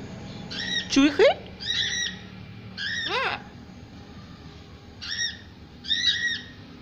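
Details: Small pet parrot making softer attempts at talking: a rising slurred note followed by several short, high, buzzy syllables in spaced pairs, quieter than its louder phrases.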